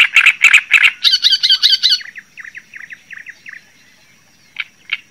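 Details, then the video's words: Java sparrow singing: three loud, harsh chips, then a fast, bright, tinkling trill, followed by a run of softer clicking notes that fade, with two isolated chips near the end. "Suara Ocehan Burung GELATIK JAWA Untuk Pancingan Dan Masteran"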